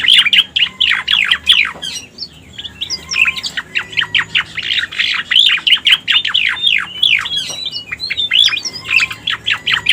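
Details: Cica koreng, or Striated Grassbird, lure song: long, lively series of sharp descending chirps, briefly pausing near two seconds. Thin sustained whistles and short slurred notes are mixed in. Steady, busy rhythm.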